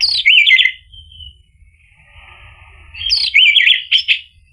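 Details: Orange-headed thrush singing as a lure to provoke a reply: a fast jumble of loud zigzag notes, a long quiet buzzy interval, then another loud rapid chattering phrase.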